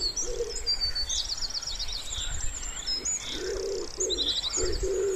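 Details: Wood pigeon calling by a quiet pond in spring: a brief low coo early, then a run of soft, hollow coos in the second half, while small songbirds trill and twitter high above.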